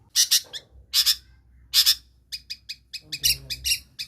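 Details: Long-tailed shrike doing mimicry to lure quiet birds into song: three loud rasping paired notes well apart, followed by a quick sequence of short chips and scratchy buzzes.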